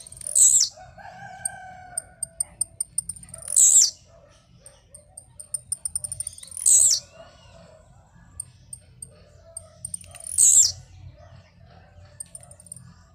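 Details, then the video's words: Blue-black grassquit jump-singing: four short, shrill buzzy notes dropping in pitch, spaced three to four seconds apart, separated by rapid thin ticks and occasional faint lower whistled tones. "tiziu cantando de pulo"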